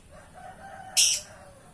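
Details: A lovebird in active singing form gives one shrill, harsh screech lasting about a quarter second, after a second of faint, steady low tones in the background.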